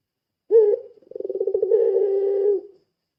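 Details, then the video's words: Puter pelung dove luring call: one clipped low note, then a quickly pulsing roll that smooths into a steady droning coo before stopping. "Suara Burung Puter Pelung Gacor | Suara Pancingan Puter Pelung"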